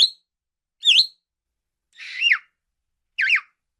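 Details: Budgerigar giving four short, sharp chirps spaced about a second apart, each a quick high twisting note with a rising-and-falling wobble, clean and close against a silent background.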